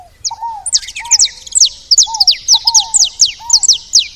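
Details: A burst of excited chatter from saffron finches at a feeder: rapid, bright, high descending chips crowd together over repeated lower arched whistles.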